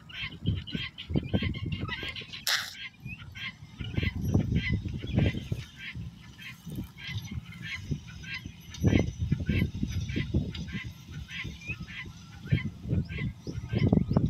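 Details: Mated male and female guineafowl with eight keets: a steady series of harsh, clipped calls repeated about twice a second throughout, over loud low rumbling and thumping noise, with one brief sharp burst near the start.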